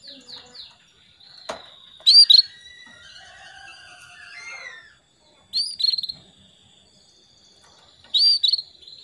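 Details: Female canary calling the male, used as a lure to get males singing: a thin whistled note then a quick chatter, given three times about three seconds apart, with faint chirps and a soft rising-and-falling warble between.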